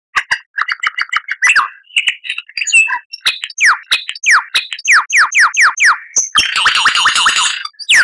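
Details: Lyrebird song offered for cage birds to learn from: fast runs of short chirps, then a string of sharply falling whistled notes about every third of a second, ending in a dense scratchy burst.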